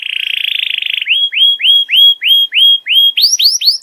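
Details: Canary tutoring song meant to teach juvenile canaries new phrases: a dense buzzy roll lasting about a second, followed by clear upslurred whistles repeated roughly every quarter second, ending in higher, quicker rising notes.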